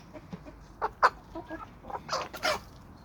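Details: Chickens and roosters of a homestead flock on a small suburban homestead with sandy soils, giving short clucks and sharper bursts, two louder squawk-like notes near the end.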